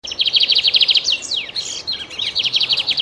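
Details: Morning bird chirping: rapid high trills of sharp repeated notes, broken by a few steep downslurred sweeps, then more fast trilling.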